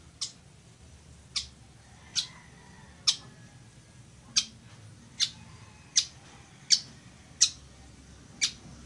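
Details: Weaver, called chichiguago, recorded as a singing example for birds. Ten dry, sharp chips repeat roughly every second in a fairly steady series, with a faint hum underneath.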